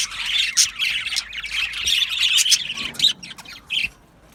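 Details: Australian budgies in an aviary colony singing and chirping: rapid scratchy warbled chatter with squawky notes from multiple birds, thinning into a few separate chirps before falling quiet.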